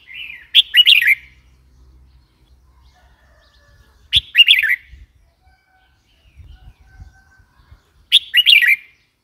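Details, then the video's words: Red-whiskered bulbul repeating its cheerful warbled call three times, roughly every three and a half to four seconds, each a quick series of bright up-and-down chirps; soft low rumbles between. "Red whiskered bulbul call 04"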